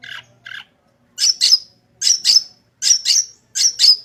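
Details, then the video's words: Long-tailed shrike song meant as a master recording for training shrikes: two softer notes, then loud harsh high paired chips repeated roughly every 0.7 seconds. "Burung Cendet Gacor full isian suara paling jernih"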